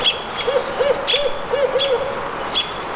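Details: Barred owl at the Squamish River Estuary on May 17, 2014, giving a run of five low, rounded hoots in quick succession, each slightly arched, while a small bird repeats a sharp high chirp throughout.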